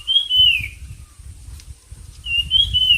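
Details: Bird in a song competition giving two long, clear whistled phrases that start high and sag downward, with a low rumbling noise underneath.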